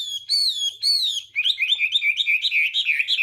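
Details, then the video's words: Chinese hwamei morning song for voice training and provoking singing: two long, clear, falling whistles, then a fast rippling series of short warbled notes. "hoạ mi hót sáng luyện giọng kich bổi sổ giọng chim hót hay mỗi ngày"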